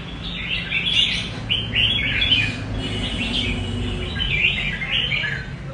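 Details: Rê cầu singing of a red-whiskered bulbul: lively, liquid warbled phrases with sharp upward flicks, delivered in bursts of about a second, steady and clear above faint low background hum.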